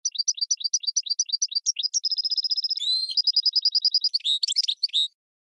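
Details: Goldfinch and red canary hybrid singing a tutor song for training birds: rapid repeated upslurred chirps, then a fast even trill, a brief buzzy rising note, another quick trill and a jumbled twittering phrase, all high-pitched and clean.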